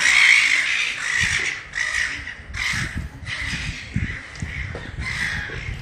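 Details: Very young juvenile Silver Gull running around a pedestrian shopping mall in Ballarat, Victoria, Australia, giving harsh, raspy squawks in quick succession, about one every half second to second, with steady urban background hiss.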